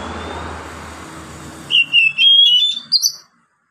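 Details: Oriental magpie-robin's relaxed song, used to draw song from reluctant birds; after background hiss and low hum, a short run of clear rising whistles and sweet slurred notes, ending in silence.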